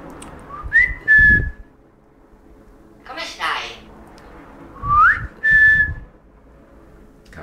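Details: A talking hill myna, one of two pet birds kept together, gives two loud, clear human-like whistles, each rising then held level, about four seconds apart, with a short breathy rasp between them, amid bouts of Italian mimicked speech.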